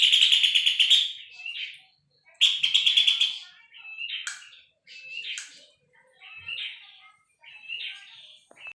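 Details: Puff-throated babbler song as training material for cage birds: two harsh, fast pulsed rattles followed by a string of quieter, separate whistled and slurred phrases about a second apart.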